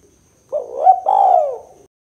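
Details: Spotted dove giving a 'kuk 2' style call, used for luring and prompting other birds: one low, hoarse cooing phrase of two joined parts, the second longer and falling at the end. The background is quiet.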